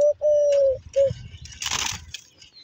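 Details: Domestic pigeon at a loft where every nest box holds eggs or chicks, giving three soft, steady hooting notes, short-long-short, followed by a brief rustling flutter and faint room noise.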